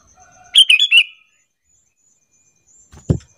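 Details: Sooty-headed bulbul (kutilang) lure call, used to provoke other bulbuls into answering with lively back-and-forth calling; one brief bubbly phrase of three or four quick chirping notes, followed by silence and a single low thump near the end.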